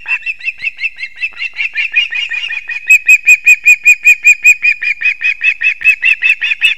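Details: Latvian ospreys at the nest at 6:40 am, 3 September 2024, as the male brings the chicks two fish at once. A fast chirping run turns into loud, evenly spaced whistled yelps, then slightly softer chips.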